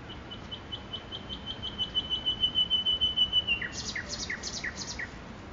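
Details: Nightingale singing in Makui park: a long run of quick, evenly spaced high piping notes that merge into a sustained tone, then a lower phrase of sharp downslurred notes alternating with buzzy high bursts.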